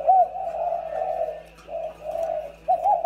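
Low, soft cooing from a dove, drawn-out mellow notes running almost without pause, with a brief break and a fresh coo near the end; faint indoor hum beneath.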